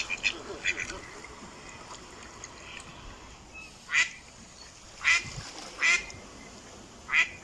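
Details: Ducks calling: after a quiet stretch with faint background chatter, four loud, short, nasal quacks come singly about a second apart.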